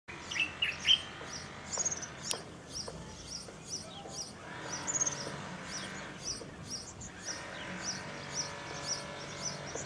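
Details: European serin (Serinus serinus), song.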